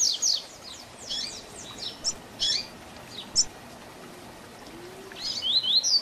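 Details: Young-bird training song of the double-collared seedeater, 'tui tui zel zel' style: high, scratchy downslurred notes, some spaced chips, a quiet gap of about one and a half seconds, then a rising, bright whistled phrase at the end.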